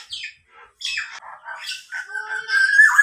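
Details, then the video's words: Tame, highly vocal local black-naped oriole, a kept bird, imitating a police car siren: harsh squawky notes and rough chatter, then a sustained wavering whistle that strengthens toward the end. "kepodang lokal berbunyi mobil polisi"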